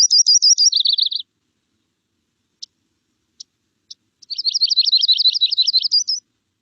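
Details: Yellow-rumped Warbler song, heard in Contra Costa County neighbourhoods: a sweet, high trill of rapid chipping notes dropping slightly in pitch, repeated after a pause with a few soft ticks between.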